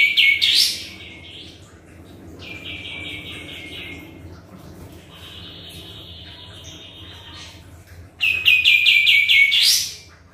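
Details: Sooty-headed bulbul singing, meant to draw a response: a phrase finishing in a rising sweep, a softer run of repeated notes, a thin sustained whistle, then a loud rapid string of descending notes with a climbing end; constant low hum.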